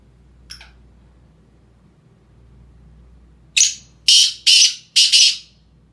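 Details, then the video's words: Sindhi black francolin calling: a faint single note, then a burst of four harsh, grating, rasping notes in quick succession near the end, each loud and broad, over a quiet background. "Sindhi Kala Tetar Awaz"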